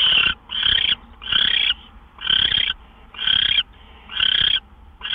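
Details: Nesting owl, just past midnight on March 26, 2013, as gophers are brought in; rapid series of seven harsh hissing screeches, each about half a second, repeated with barely a pause.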